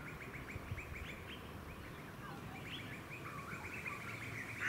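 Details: Juvenile Grey Butcherbird on the Sunshine Coast, Queensland, in August 2020, giving a fast stuttering run of short mid-pitched notes, a brief pause, then a second run, with a sharper louder note at the end over faint low background noise.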